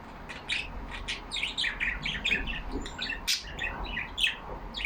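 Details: Caged yellow budgies, pet Australian parrots, chattering to one another: continuous warbled chirping with squeaky whistled notes and scratchy clicks, evenly busy throughout, with one sharp loud click partway.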